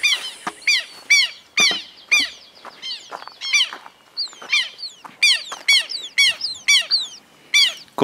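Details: Red-crested cardinal feeding in Esperanza, Santa Fe, Argentina, in 2022, among mulberry and privet fruits and sunflower seeds; sharp, downward-slurred chip notes repeated about twice a second in an uneven series, some overlapping.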